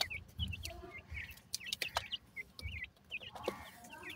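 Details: High, downward-sliding cheeps from a group of grey francolin chicks at feeding, repeated rapidly and overlapping, alongside soft low thumps and occasional clicks.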